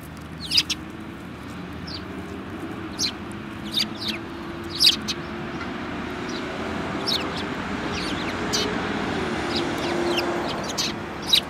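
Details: Several sparrows, one with a yellow beak, recorded on 24 February 2018; short sharp chirps scattered irregularly across the clip, some in quick pairs, over a steady low hum.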